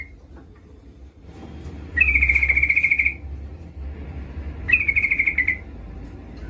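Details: Female yellow-vented bulbul calling to a male: two buzzy, evenly trilled phrases about a second long, steady and slightly falling, separated by a pause, over a low background rumble.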